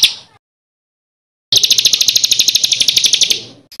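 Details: Songbird on masteran material for contest birds, rough kasaran ngeroll: a brief note, over a second of silence, then a fast, dense, shrill rolling trill that fades out, with a final short note.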